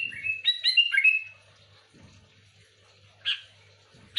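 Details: Sooty-headed bulbul, in a song used to lure other bulbuls: a rapid run of fluty whistles stepping up and down, a pause, then two single short chirps, over a low steady hum.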